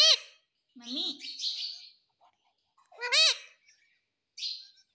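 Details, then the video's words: Pet parrot saying "mummy": two loud arched harmonic voice-like syllables about three seconds apart, between them a lower wavering phrase and breathy hissing sounds. "Mummy Mummy bolne wala tota"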